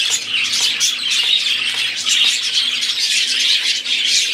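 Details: Dense warbling of a budgerigar flock, rapid scratchy chirps and thin whistles overlapping continuously, with a faint low hum in the background.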